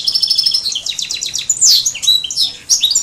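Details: Loud, busy song from a major crossed with a canary: fast chattering trill, a piercing swept whistle, then more rapid twittered notes and short buzzy phrases.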